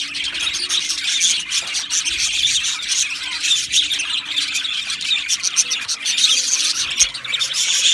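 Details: Aviary full of budgerigars, continuous chattering chorus with harsher squawks and squeals mixed among the high rapid chirps.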